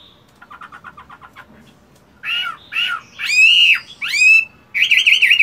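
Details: Captive male Chinese hwamei in morning song practice while moulting: a run of soft quick clicks, then loud, rich slurred whistles rising and falling, ending in a rapid wavering warble.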